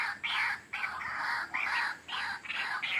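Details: White-breasted waterhen lure call used to attract wild birds: loud, raucous, grating bursts, each about half a second long, following one another with brief gaps.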